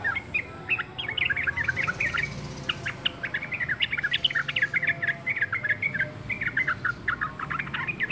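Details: Yellow-vented bulbul singing tirelessly: a long, continuous run of bubbly, chattering whistled notes that rise and fall rapidly without pause, with a faint low hum behind.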